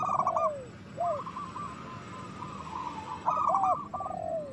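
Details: Local zebra doves singing to encourage others to call and breed: short cooing bursts with sliding lower coos, a quieter stretch of soft notes in the middle, faint hum behind.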